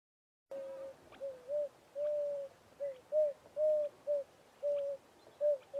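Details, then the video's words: Emerald-spotted wood dove, a confiding bird seen on the Southwell road before winter, gives about ten soft, low, hollow coos, some short and some drawn out, in an uneven rhythm; this call was dubbed in. "Emerald-spotted Wood Dove diet, habitat and call"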